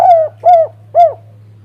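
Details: Spotted dove lure call, intended to get quiet doves singing: three soft mellow arched coos about half a second apart, fading out, over a steady low hum.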